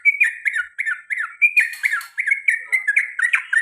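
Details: Pet male sooty-headed bulbul in a long rolling 'ropel panjang' run of quick 'cuk' notes, each a sharp bright chirp dropping in pitch, repeated steadily with a few harsher squawky notes midway.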